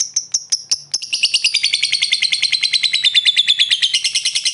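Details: Lovebird giving the long ngekek trill, a fighter-style call used to provoke rivals into answering: a few separate sharp chips, then a rapid unbroken run of shrill high notes, about eight per second, slightly falling then rising, in a quiet room.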